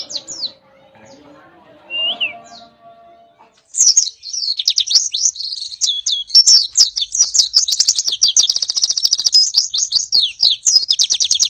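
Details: Oriental white-eye song in the dense 'nembak' firing style, recorded as a tutor for training songbirds: after a few quiet seconds with a faint low hum and a short whistle, a continuous rapid high twittering of sharp chirps and trills runs unbroken to the end.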